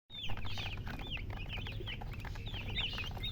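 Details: Baby chicks chirping: many quick, high peeping notes that slide down and overlap, several birds calling at once over a steady low hum.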